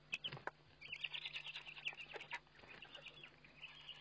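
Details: Eurasian eagle-owl at a feeding on 29 May 2011, heard through a webcam: a scratchy, high wavering chatter lasting about two seconds, preceded and followed by sharp clicks and rustling, over a low steady hum.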